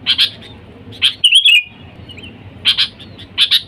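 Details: Lively sooty-headed bulbul calling wild companions, used as a lure: paired sharp chirps open, followed by one liquid warbled phrase, a quiet gap, and two more chirp pairs near the end.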